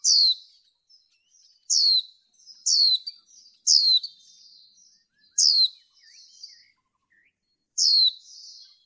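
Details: High, thin, falling calls from a female white-eye used to excite males in training, six loud notes in close bursts separated by quieter twittering.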